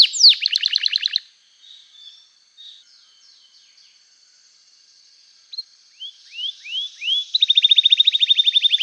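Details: {'text': 'Canary song intended to coax reluctant canaries into singing. Opens with a rapid rattling trill, falls nearly quiet, then rising whistled notes lead into a fast even trill.'}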